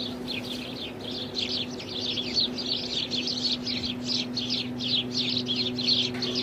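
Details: House sparrows in India: rapid, energetic chirping, about three short chirps per second, builds into a busy chorus over a constant low hum.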